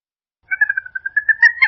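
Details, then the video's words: Purple gallinule calling in a clean, unedited recording: a brief run of quick nasal notes on one level, speeding slightly and growing louder toward the end. "Som limpo do canto🎵 do Frango d’água azul"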